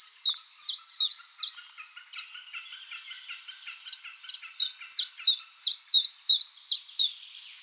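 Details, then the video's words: A common chiffchaff (Phylloscopus collybita) gives its mating song in a spring forest. Loud, high chiff-chaff notes repeat about three per second, break off for a couple of seconds of softer twittering, then resume strongly. "CHIFFCHAFF bird singing"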